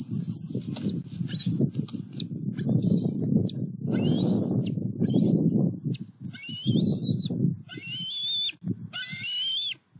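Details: Juvenile bald eagles in Southwest Florida on 5 July 2020, flying from the nest to a pond and a snag tree: a series of high, thin whistled notes, some flat and some rising or falling, about every second, over heavy low rumbling noise.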